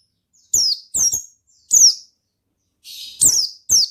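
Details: Ngalas-style song of an Oriental white-eye: five shrill chirps sliding down in pitch, some doubled, with a brief buzzy rasp before the fourth note; otherwise quiet.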